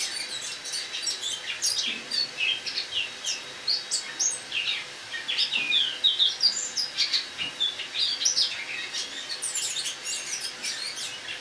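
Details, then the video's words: Caged Eurasian blackcap singing its autumn song indoors on an October morning in 2017, kept in a kitchen for the winter: a long, soft, rambling twitter of thin high chirps and short trills, rising in intensity midway. "Осеннее пение славки-черноголовки (Sylvia atricapilla)"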